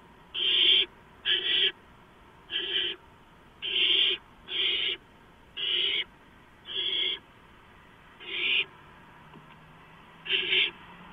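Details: Barn owl nest at 11:43 PM on 2 April 2015, gopher brought in as prey. Nine short, harsh, breathy screeches over eleven seconds, mostly evenly spaced, with a gap before the last one.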